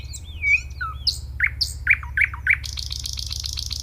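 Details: Nightingale in full song over a low steady hum: a looping whistle, a short downslur, then five loud, evenly spaced chirps, breaking into a fast, buzzy, high rattle.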